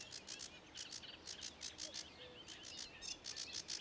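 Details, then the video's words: Sedge warbler song recorded at Ilmatsalu, 26 May 2017, made of scratchy high clicking notes in quick bursts with short twittering slurs, sounding somewhat insect-like against soft background noise. "Kõrkja-roolind laulmas / Sedge warbler singing"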